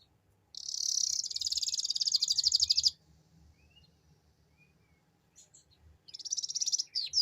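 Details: Canary performing the ngeriwik song used as a lure for other birds. A long rapid buzzing trill of over two seconds, a short gap with faint notes, then a further trill and falling sweeps.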